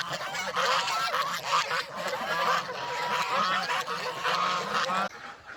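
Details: Many geese on a rural farm call together as they leave their pen for feeding and water play: continuous raucous honking with some clearer rising notes, cutting off abruptly before the end.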